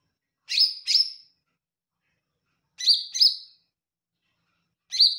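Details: Lesser green leafbird (cucak ijo mini) in melodious song: crisp doubled chirps, each falling in pitch with a short tail, two pairs about two seconds apart, then a single note.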